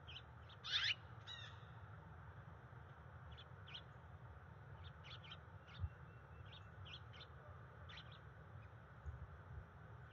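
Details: Female bald eagle at the NCTC nest on Jan 30, 2021, giving her routine call/chant to start mating with her mate. Faint high, sharp chirps come in scattered bursts, the loudest near the start, over steady low rumbling background noise.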